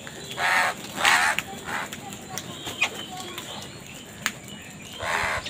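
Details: Harsh, raspy caws from crows fighting for food, two close together near the start and one more near the end, over a busy background of faint bird chirps and clicks.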